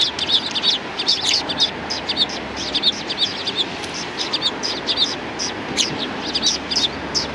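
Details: Several sparrows at a Tenmangu shrine approach, recorded 6 December 2019, keep up a dense, continuous chatter of bright, clipped high chirps, overlapping and quickly repeated throughout, with steady low background noise beneath.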